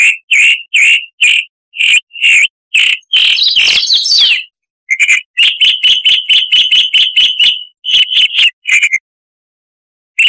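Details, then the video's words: Harsh-voiced Chalk-browed Mockingbird (Mimus saturnin) song, a tutor recording for cage birds: evenly spaced rough notes, a burst of noisy grating chatter, then a quick run of clipped repeated notes and a final short phrase against a silent background. "Masteran Burung Luar Negeri Suara Kasar - Chalk-browed Mockingbird"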